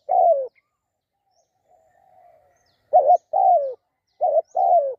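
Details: ['Spotted dove giving a falling coo, then a faint distant drawn-out coo, then two close two-part phrases. Each phrase is a short wobbling note followed by a longer descending coo.']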